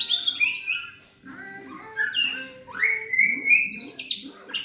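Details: Juvenile black-legged Medan White-rumped shama, about 3.5 months old, caged in Yogyakarta: lively song of falling whistles, quick chirps and a long rising-then-level whistle, with soft background sounds underneath.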